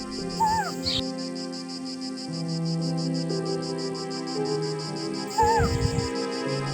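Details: A Forest Owlet in forest of the northern Sahyadri, Maharashtra, India, gives its most familiar call, perhaps to announce its presence: two brief, cuckoo-like whistled phrases about five seconds apart, over high insect drone and low music.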